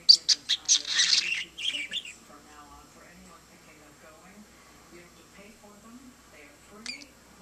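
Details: Pet budgerigar talking to a lamp indoors: a quick series of loud, harsh scratchy bursts, then very soft, low murmuring warbles and a final faint chirp.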